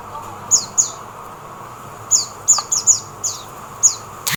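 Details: Oriental white-eye in the Philippines: sharp, high-pitched downslurred chirps, a pair then an irregular run of six more, over constant low hum, ending with a click.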